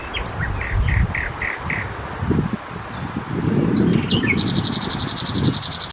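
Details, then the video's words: Common nightingale singing at night, typically hidden in shrubs: a row of short upslurred whistles repeated about three per second, a few sharp notes, then a fast high dry rattling trill, with steady low background rumble. "Slavík obecný, Common Nightingale, Nachtigall, zpěv ptáků, ptačí zpěv v noci"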